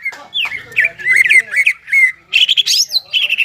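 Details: Singing greater green leafbird, crested and in top form, used to provoke stressed, silent leafbirds into song; looping whistled notes bend up and down, then a louder burst of higher, harsher warbling follows.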